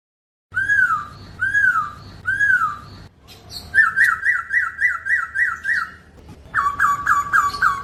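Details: Chinese hwamei in clear song without effects: three arching whistled notes, then a fast train of short sharp repeated notes, ending with another quick repeated series.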